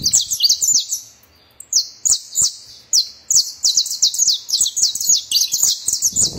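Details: A saffron finch (Sicalis flaveola) sings a fast, high run of sharp, metallic chirps, several each second, with one brief pause and a few faint clicks behind.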